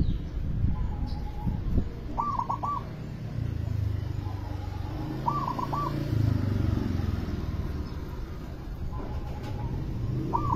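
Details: Zebra dove lure recording of vigorous song: short soft note followed by a quick, bubbly cluster of staccato coos, repeated about every three to four seconds over a steady low rumbling background.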